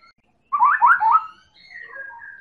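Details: White-rumped shama of the Medan type, a lure recording played to provoke other birds into singing: a loud burst of three rich, rising whistled phrases, followed by softer, sliding whistles that fade out.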